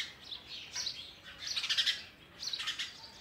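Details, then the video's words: Sparrow nestlings begging as a parent brings oversized food; three loud bursts of shrill, rasping chirps separated by quieter gaps. "Sparrow bird is trying to feed it's chicks oversized food"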